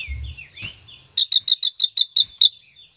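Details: A female Silver-eared mesia sings to rouse a male, giving soft slurred warbles, then a fast run of eight bright, evenly spaced clear notes in about one and a half seconds, with a low hum early on.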